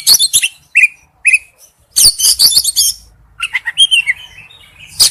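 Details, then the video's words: A male oriental magpie-robin calls to a female with mixed whistles and scratchy, buzzy phrases, including two clear rising whistles early on and a longer downslurred whistle near the end. "tiếng chích chòe than gọi mái/chích chòe than trống kêu"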